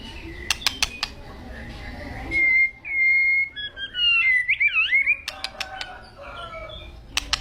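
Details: White-rumped shama, agitated, giving long sustained whistles and a twisting warbled phrase, with sharp clicks and taps before and after.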